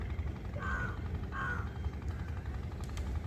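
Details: Wild bird giving two harsh, caw-like calls about half a second apart, then falling silent, over a steady low rumble like distant traffic or engine noise.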